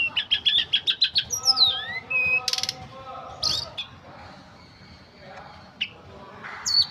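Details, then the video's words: Ashy tailorbird (tledekan gunung) singing a full wiksar phrase. A rapid run of about ten clipped, repeated notes opens it, followed by slurred whistles, harsh bursts and sparse chirps. "Kicauan Tledekan Gunung Full Wiksar"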